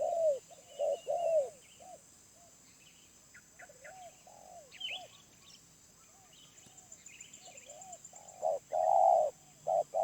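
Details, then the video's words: Medium-voiced wild spotted dove coos at the start and the end, with soft paired hoots between. A lull in the middle is filled with sharp chirps and twitters from other birds. "Tekukur Liar // Suara Menengah"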